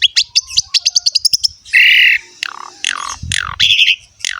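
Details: Lively jalak suren song used as a tutor recording for young or reluctant Asian pied starlings: a rapid train of sharp ticking notes, then a harsh buzzy burst, followed by down-slurred whistles and a rasping trill.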